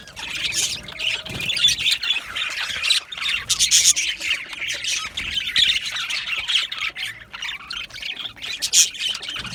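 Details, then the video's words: Aviary budgerigar colony chattering loudly: many birds squawking and chirping at once in high, raspy bursts that swell and fade every second or two. "Budgie birds chirping sounds"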